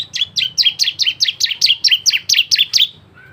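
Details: Varied lively song of a bar-winged prinia played as a lure: an unbroken run of about thirteen evenly spaced, bright, down-slurred high notes, roughly four per second, ending abruptly.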